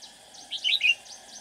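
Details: Decoy red-whiskered bulbul used to lure other bulbuls into a trap, known for singing readily; a brief burst of clear, slurred notes in quick succession with faint chirps before and after.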